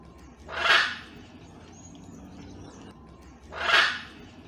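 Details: Wild blue-and-yellow macaw family visiting for breakfast with their baby, which is eating banana: two loud, harsh, raspy squawks about three seconds apart over quiet background rustle.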